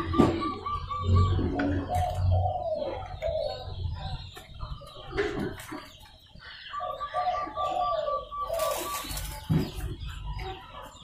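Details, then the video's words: Local zebra dove whose call is meant to goad other doves into answering: rolling cooed phrases with a higher ending note, heard in two bursts, with low background rumble and a brief burst of noise midway. "Perkutut lokal jago memancing lawan agar mau bunyi."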